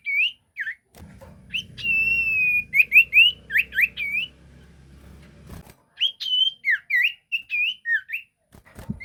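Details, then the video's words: Sirtu song for luring other birds: sequences of bright whistled notes, rising and falling and mostly upslurred, delivered in two bursts over a low background rumble. "Burung sirtu gacor pancingan"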